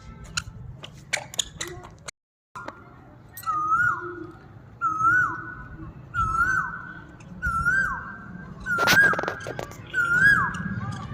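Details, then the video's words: An Asian Koel gives six clear, rising whistled 'koo-ee' notes, one roughly every second and a half, after some brief clattering noises at the start. "Cuckoo sound"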